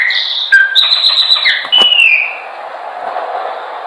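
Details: Chopi blackbird singing a training song: a few bright whistles, some steady and some slurred downward, crowded into the first two seconds, then only a soft background hiss.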